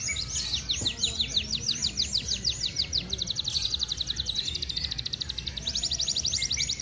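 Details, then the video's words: Caged F1 canary, a prize winner in regional training contests, singing near its moult in the dense, fast speed rapat style; long runs of rapid, evenly repeated high trill notes, rolling on almost without pause, with faint background noise. "Burung Kenari F1ngerol speed rapat"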